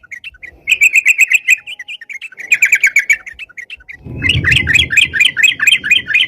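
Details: Crucukan, or sooty-headed bulbul, singing constantly for use as a catching lure: quick rattling runs of chirps in separate bursts, with low rumbling background noise under the last stretch.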